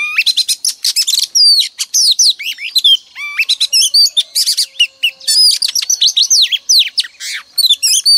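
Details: Female oriental magpie-robin singing, a lure played each morning to prompt males to sing; dense varied song of sharp whistled notes, rapid chirps and upslurred sweeps, delivered in quick unbroken bursts.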